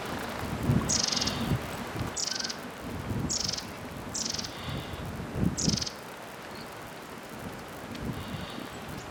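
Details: Long-tailed tit in a forest; calls said to mean "I'm here" (chee-chee-chi) and "something is there" (jururi). Five short, high, thin bursts, each about a second apart, then a pause. Low rustling and handling noise run underneath.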